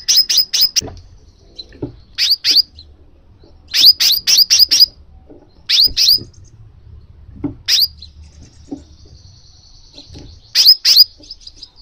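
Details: Crimson sunbird calling to spur a kept sunbird into song: bursts of three to five sharp, high, metallic chips separated by pauses of about a second, with faint thin twittering between.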